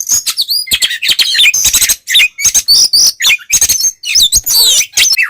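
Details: Kacer, an Oriental magpie-robin, in ngeplong song meant to provoke rival magpie-robins: dense high-pitched phrases of clear whistled notes, buzzy trills and scratchy chatters, delivered quickly with brief pauses.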